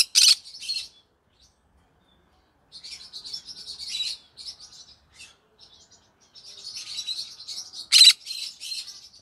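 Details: Evening song of a green-cheeked conure, opening with a sharp squawk, then silence followed by strings of raspy chattering chirps and another loud squawk.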